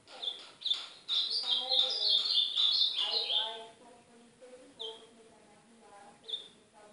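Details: Ultramarine grosbeak song, Northeastern Brazilian style, played to warm up a pet seedeater: short notes lead into a three-second warbled phrase of bright slurred whistles, followed by two isolated short notes and soft background chatter.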